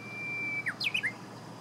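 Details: Song of a Japanese bush warbler, recorded 6 June 2017 at about 8 a.m.: a long, even whistle that drops into a sliding note, followed by a quick flourish of three or four clear, bending notes, over constant low hiss.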